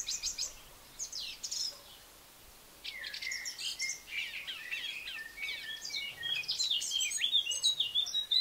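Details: Eurasian blackcap song, a rich, fast, scratchy warble of high chattering and whistled notes in several bursts, growing fuller and louder toward the end, with quiet rural background noise.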